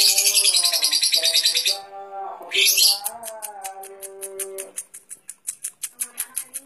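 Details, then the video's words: Lovebird in competition-grade song, giving loud, harsh, buzzy high trills and a rapid series of sharp ticking chips. Lower tonal, wavering sounds run beneath part of the song. "Lovebird Prestasi"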